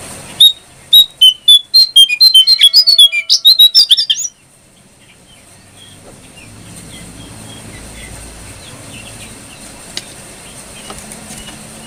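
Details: Brown prinia song used as a tutor recording for kept birds: a rapid burst of sharp, high chirps and short down-slurred notes, roughly a dozen packed into four seconds, followed by near silence with a faint low background hum.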